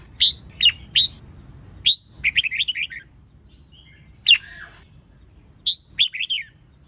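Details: Female red-whiskered bulbul singing to stimulate males, crisp chirps interspersed with short fast runs of twittering whistled notes.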